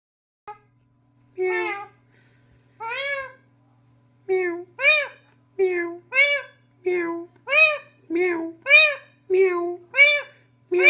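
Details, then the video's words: Pet parrot indoors in a small room, mimicking a cat's meow: about a dozen drawn-out, nasal, meow-like calls, each rising then falling, coming in quick irregular bursts, with a low steady hum underneath. "mithu bili ban gya"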